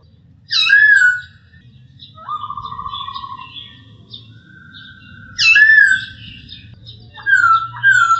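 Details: Training recording of a masked laughingthrush: a loud downslurred whistle, then a long even pulsed trill, softer warbling, and two more loud whistled slurs toward the end, with constant low-pitched background hum.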